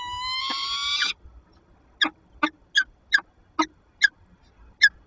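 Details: Peregrine falcon female in a nest box at a power plant in Lublin, Poland, on 15 February 2022, interacting with her mate: a drawn-out harmonic wail lasting about a second, then a series of short sharp chips roughly every half second.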